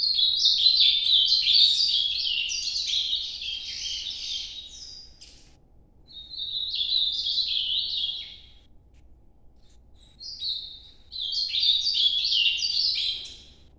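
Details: Three separate warbled phrases from an Ultramarine grosbeak singing the Nordeste song style, each a burst of quick slurred whistles lasting two to five seconds, separated by short silences.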